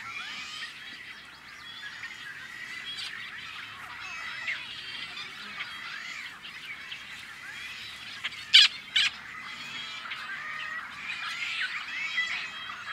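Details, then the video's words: Rare Tricolored Blackbirds at an on-farm nesting colony in California's Central Valley, May 2012, giving a steady, crowded wall of buzzy, nasal calls from many birds, broken by a couple of sharp clicks near the middle. "Protecting Tricolored Blackbirds"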